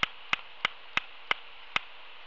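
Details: Laysan albatross adults practicing courtship dances in the early morning on Kauai's north shore on May 10, 2018, making bill clacks: six sharp, dry clicks, about three per second, evenly spaced, over a quiet background.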